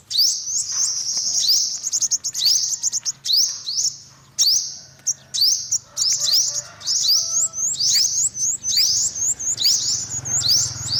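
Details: Olive-backed sunbird calling: very high, thin upward-sweeping notes strung into fast chattering bursts with brief pauses, about seventy per minute, plus faint lower tones in the background.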